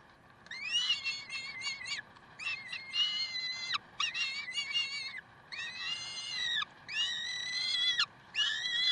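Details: Peregrine falcons in Karlsruhe, 30 May 2010, giving loud wailing screams, some choppy and stuttered, others held for about a second, following one another almost without pause over a low background rumble.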